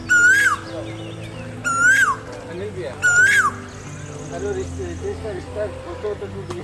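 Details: A male Asian koel on a spring morning gives three loud, clear 'ko-el' notes, each sweeping up then dropping, about every one and a half seconds, over a low hum and faint background chatter.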